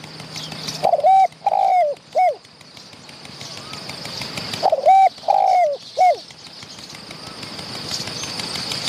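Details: Wild spotted dove answering a decoy during dove trapping, a medium-voiced bird that came close to chase and fight the decoys. Two cooing phrases, each a short note, a long level coo, then a drooping coo, with faint whistles behind.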